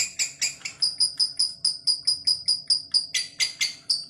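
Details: Lovebird performing a long ngekek (ngekek panjang): a rhythmic string of sharp, high chirps, some with a thin whistled edge, repeated roughly twice a second with even spacing and a brief harsher burst near the end.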